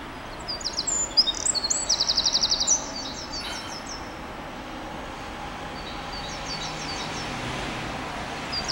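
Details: A Eurasian wren in Alfred Capus park near Porte d'Auteuil, Paris, bursts into a loud, very high, rapid trill of sharp notes for about two seconds, then fainter twitters, over steady city hum.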